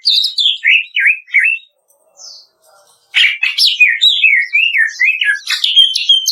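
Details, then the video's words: Kretekan-style Greater green leafbird master song for training caged birds: three slurred whistled notes, a quiet pause, then a fast, dense burst of varied chirps, trills and swooping whistles. "SUARA KRETEKAN DAHSYAT CUCAK IJO"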